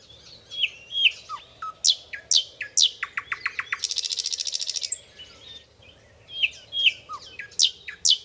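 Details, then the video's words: Nightingale sings clear, varied phrases: sharp high whistles and chirps, a quick run of repeated clicking notes, then a harsh buzzy rattle before the whistles resume. "jernih suara nightingale"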